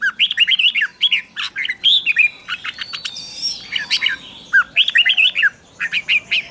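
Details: Red-whiskered bulbul singing a lure song to draw in wild birds, free of background noise: repeated cheerful warbled phrases of quick, rising and falling whistles, separated by short gaps.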